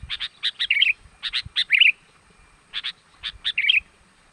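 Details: Sooty-headed bulbul calling as a lure for wild birds: pairs of quick chirps leading into a short liquid warbled flourish, given in two bursts separated by a pause.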